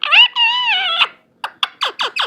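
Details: Pet talking parrot mimicking speech indoors: a drawn-out harmonic vocal phrase, then a series of five short downward-sweeping squawky syllables in quick succession.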